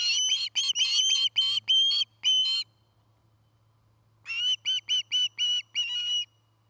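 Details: Osprey calling at a nest near Charlo, Montana, captured by a nest cam in the afternoon of 09-08-2018: two bursts of sharp, whistled chirps, the first about eight notes, then a silent gap and a second shorter run.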